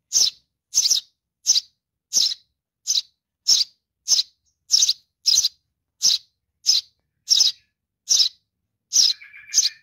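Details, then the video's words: Young sparrow begging for its mother, giving loud high chirps roughly every 0.6 seconds, evenly spaced, ending with a lower twittering trill. "suara anak burung gereja memanggil induk .baby sparrow calling for mom"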